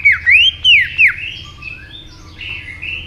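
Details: Aggressively stimulated white-rumped shama sings loud, arching whistles that rise and fall in quick succession, then softer, trailing warbles.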